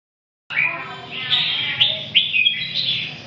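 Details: Red-whiskered bulbul singing: bright whistled and warbled phrases around mid-high pitch, a few rising notes and short sharp accents over three seconds, with a faint low hum underneath.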